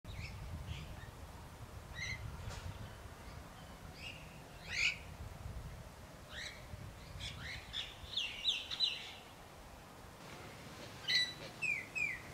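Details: Several birds in a garden in New South Wales, Australia, chirping in short, high, scattered notes and brief trills, irregularly spaced, over a low steady background rumble.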